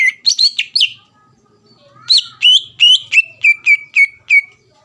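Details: Greater green leafbird, a caged songbird in full voice, singing to provoke a rival into song: rapid whistled notes with sharp upward flicks, a short pause, then a run of even whistles repeated about every quarter second.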